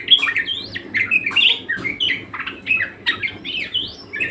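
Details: Budgerigar in vigorous song: scratchy, squawky chatter mixed with clear rising and falling whistled slurs, delivered fast and continuously.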